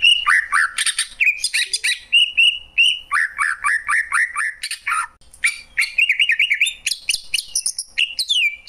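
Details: Greater green leafbird singing: a varied, rich stream of whistled slurs, rising and falling warbles, harsh chips and mimic-like phrases, delivered continuously with brief gaps.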